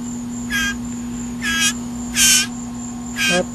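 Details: Hand-fed captive blue jay shrieking when hungry during a feeding, four harsh, raspy, broadband shrieks about one second apart, each short and grating, over a steady electrical hum.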